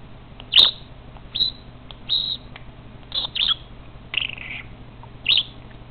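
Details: Budgerigar playing with pens gives short, scratchy chirps and warbles in quick bursts, with a sharp click near the start.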